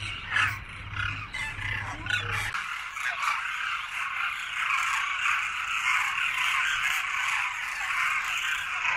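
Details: A massed flock of Demoiselle Cranes at the Pakshi Chugga Ghar feeding site in Khichan village, Rajasthan, in winter. Dense, overlapping croaking calls form a constant chorus, with a low engine-like hum in the first two seconds.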